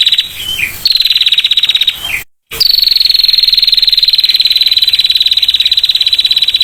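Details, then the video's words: Female prinia in ngetir style with a clear voice: a sustained high, rapidly pulsed trill held steady for several seconds after a brief break, preceded by a shorter trill and faint lower chirping notes. "PRENJAK BETINA NGETIR SUARA JERNIH"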